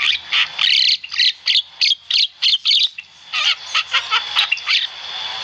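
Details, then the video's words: Javan myna in full, active song, recorded as a tutor track for training cage birds: a rapid run of harsh, buzzy chattering bursts, about three per second, with a faint steady high whistle beneath and a brief pause midway. "Masteran burung jalak kebo gacor"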